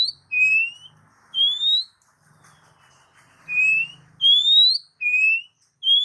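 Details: Oriental magpie-robin song used to prompt pet birds: a series of six clean rising whistles, alternating higher and lower, each roughly half a second long, with a faint low hum underneath.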